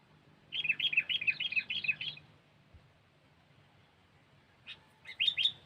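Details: Sooty-headed bulbul lure recording: a quick string of about ten bubbly, bouncing whistled notes, then a long quiet gap and a short final burst of sharp chirps.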